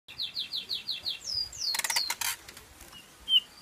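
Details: A male (cock) Eurasian bullfinch (Pyrrhula pyrrhula) calling: a quick run of six short, high, down-slurred chirps, then a longer falling note, broken by a burst of rustling noise.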